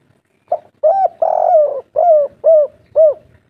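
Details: Local wild-type spotted dove giving a three-part 'kuk 3' coo: six soft, low hooting notes in about three seconds, the second drawn out longer, the rest short and evenly spaced.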